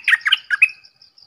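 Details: Red-whiskered bulbul with a brief phrase of four throaty, bubbling whistles, the last one rising, followed by faint high ticks.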